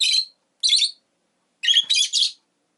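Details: Rosy-faced lovebird calls: two separate rasping, shrill chirps, then a rapid run of three more, each grating and high-pitched, with nothing else heard.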